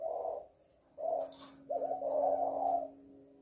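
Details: Female spotted dove giving the "lối" call: a low coo, a shorter coo, then a long drawn-out rolling coo lasting over a second, with a steady low hum beneath.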